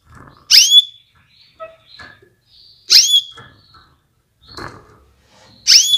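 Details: Female canary calling to prompt males to sing: three loud, sharp chirps repeated roughly every two and a half seconds, with faint clicks and shuffles between them.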